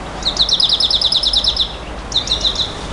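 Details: Singing nightingale, song styled 'bouh gnaoui goubaa': a rapid, bright trill of repeated high chipping notes for nearly two seconds, brief silence, then a shorter matching trill.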